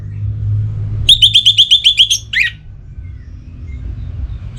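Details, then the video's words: Orange-headed thrush, a caged bird kept in northern Bali, Singaraja, in breeding condition and agitated, singing to call a rival: a rapid run of eight sharp high repeated notes, then one harsh downslurred note, over low vehicle rumble. "ANIS MERAH Gacor Pancingan Birahi & EMosi Burung || Kicau memanggil lawan"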